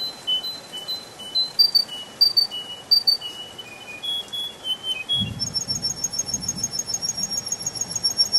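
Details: In a spring forest, a canary gives spaced, level whistled notes at varying pitches, then switches to a long, very high, rapid trill, with a brief low rumble underneath.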